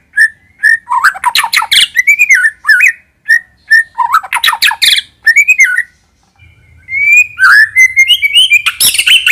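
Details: White-rumped shama song used as a lure, delivered in bursts of slurred whistles mixed with harsh buzzy notes, a brief silence, then a rising whistle running into quick sharp notes.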